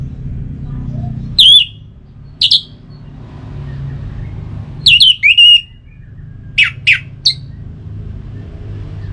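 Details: {'caption': 'Orange-headed thrush giving scattered bright whistled phrases, some slurred and warbling, separated by silent gaps, with faint low background rumble; used to make kept birds sing.'}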